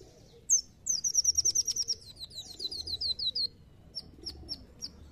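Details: Lure recording of a brown-throated sunbird, played to get other birds singing: a fast run of about fifteen thin, high notes slurring slightly downward, then scattered single chips spaced about half a second apart.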